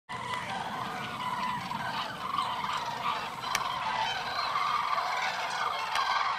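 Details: Hundreds of wild common cranes at a huge roost in Tablas de Daimiel National Park, Spain, in mid-January, during a freezing, foggy dawn. A dense, continuous chorus of overlapping trumpeting calls forms a steady wall of sound.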